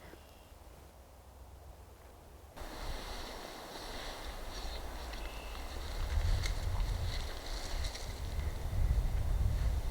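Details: Heavy wind rumble and buffeting on the microphone, with no animal call standing out.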